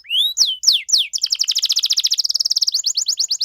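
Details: Singing canary in lively 'gacor' form, ornate 'cengkok mewah' style meant to provoke other canaries: three loud swooping whistles, rising then falling, lead into a long, very fast, even trill of sharp notes.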